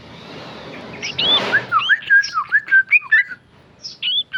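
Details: Sooty-headed bulbul, a tame male, singing ropel: after a rushing noise, a quick burst of slurred, liquid whistles follows, then a short pause and two final notes.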